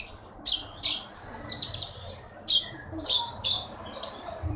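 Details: A forest-caught konin kept as a champion singing bird in Bangka Belitung gives a few loud high whistled phrases separated by short pauses, over a steady low background hum.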